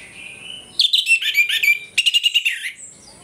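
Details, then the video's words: Morning ngeplong song of an orange-headed thrush, played as a lure to provoke aggression: two fast runs of rich, varied, slurred whistles and chattering notes, the second ending in a falling flourish, over a faint steady hiss. "ANIS MERAH NGEPLONG PAGI, PANCINGAN ANIS MERAH AGAR CEPAT EMOSI"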